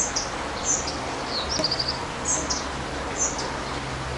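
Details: Spotted flycatcher at its nest during breeding, 13 June to 13 July 2011: thin, very high squeaky calls about once a second, a quick burst of sharp notes partway through, over steady low hiss.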